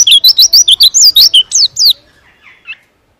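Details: Pleci (white-eye) delivering a fast, tightly packed song for training other birds: about a dozen quick zigzag whistled notes in under two seconds, then fading to a few soft chirps and silence.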